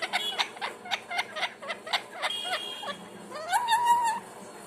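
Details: Pet parrot making a string of varied sounds: short harsh harmonic notes repeated quickly, then a longer rising and falling whistled squawk toward the end, indoors.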